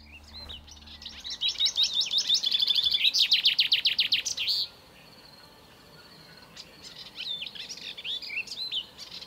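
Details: Black redstart, a bird of residential areas heard singing even before dawn from roofs and antennas: song opens with high whistled notes and ends in a rapid scratchy crackle like tearing paper, then a new phrase begins after a pause.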